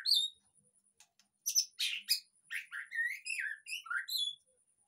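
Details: Lure song of a white-rumped shama played to coax a moulting caged bird into full song: a high whistle, a pause, then loud harsh bursts giving way to a fluent run of slurred, rising and falling whistles.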